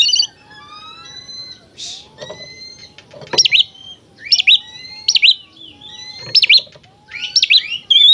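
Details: Actively singing oriental magpie-robin, its song used to make other magpie-robins agitated and fan their tails: clear, varied whistled phrases, high slurred notes and lower drawn-out whistles, repeated in quick bursts about every second.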